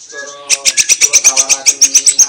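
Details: White-rumped shama song meant to provoke other shamas into answering and showing their repertoire. It opens with faint, low tonal lines, then a fast, high, rattling series of sharp notes repeats about eight times a second.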